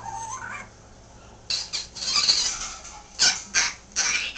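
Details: Pet Timneh African grey parrot chatting away at home, clicking and making soft baby-like sounds: a quiet rising whistle, then bursts of harsh hissy clicks and squeaky chatter in short bouts.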